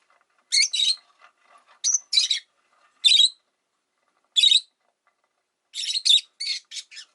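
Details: Harsh, rasping calls from five caged rosy-faced lovebirds beside a window, first in pairs, then single chirps, ending in a rapid cluster of five or six squawky notes.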